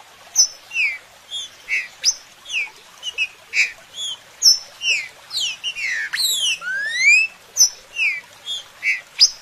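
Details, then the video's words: Green-winged saltator song used as a natural stimulus for training: loud, clear whistled phrases of short downslurred notes repeated about every half second, with a burst of rising and falling sweeps near the middle. "ESTIMULADOR NATURAL PRA TRINCA FERRO"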